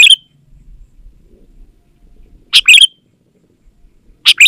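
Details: Sooty-headed bulbul in lively song used as a lure for reluctant or wild bulbuls: a phrase clipped at the start, one full bright two-note chirp in the middle, and another beginning at the end.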